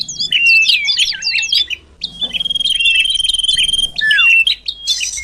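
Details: Common iora lure call to attract birds: a burst of tumbling twitters, a pause, then a long unwavering whistle, a descending slurred note and a final harsh buzzy burst.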